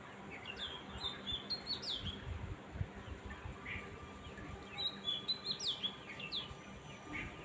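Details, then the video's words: Birds chirping in quick bursts of thin, high, down-slurred notes, grouped in clusters with short pauses between them, over faint low rumbling background noise. "cute chirping sound of birds"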